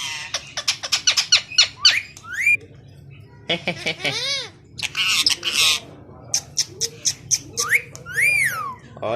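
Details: A pair of green pet parrots talk to each other in Urdu and squabble. Sharp clicks and short squawks, then rising and falling harmonic calls. Bursts come every second or so, with a noisy rasp in the middle.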